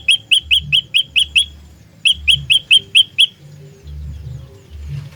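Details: Olive-backed tailorbird singing lure calls for trapping, fighter type: two runs of loud, ringing chip notes, seven then six, evenly spaced, followed by quiet with a soft low hum and faint background noise.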